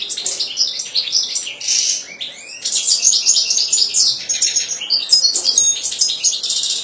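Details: European goldfinch in full, unbroken song: a fast, high jumble of liquid twitters, buzzy rattles and clear whistled notes that runs throughout with only brief dips.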